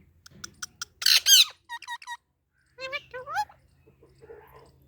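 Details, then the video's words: Baby parrot chirping: a run of short high notes, a loud burst of harsh squawking, then series of rising and falling whistled chirps over a low hum. "Baby Parrot Natural Sounds | Parrot Chirping Sounds"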